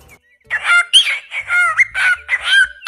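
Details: Eurasian stone-curlew calling in a loud series of shrill, wailing, slightly harsh notes, each rising or bending, given in quick succession with brief gaps and some overlap between the calls.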